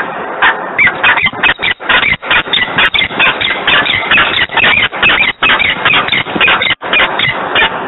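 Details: Repeated harsh screams from a peregrine falcon, recorded in Włocławek on 3 December 2020 at 10:36. The squealing notes pour out in a rapid, uneven stream with a few short breaks.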